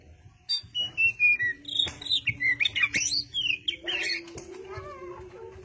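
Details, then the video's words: Kacer, the oriental magpie-robin, singing busily: a string of pure descending whistles, then rapid rising and falling slurred notes and chattering trills, over a continuous low hum. "Burung Goci / kacer Gacor corrr...."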